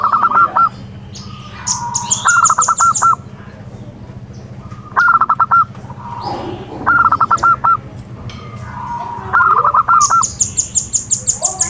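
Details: Local-strain zebra dove singing vigorously: stuttered cooing phrases of rapid staccato notes near one pitch, each ending in a drawn-out coo, repeated about every two to three seconds, with thin high chirps from another bird between phrases.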